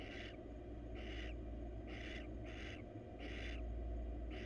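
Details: Attention-seeking wild female barn owl in a nest box: breathy, rasping screech bursts repeated close to once a second, six in the series, over continuous low-frequency hum.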